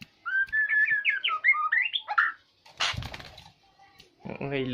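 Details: White-rumped shama (murai batu), Aceh type, lure song to provoke other birds: a fast twittering phrase of rising and falling whistled notes, followed by noisy bursts and a harsh, buzzy sound at the end.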